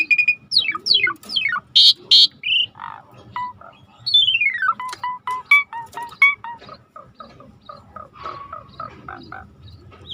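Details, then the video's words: Jalak suren, the Asian pied starling, sings as a lure for birds gone quiet: steep falling whistles and harsh bursts, then a long descending run of notes fading into softer chatter. "tembak burung jalak suren yang macet bunyi auto dengar yang ini"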